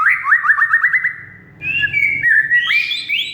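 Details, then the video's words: Oriental magpie-robin song played to coax a silent caged bird: a fast series of short upslurred whistles, then longer level and rising whistled notes ending in a buzzy sweep. "Kacer Mogok Bunyi Tiba-tiba Gacor Isian Mewah"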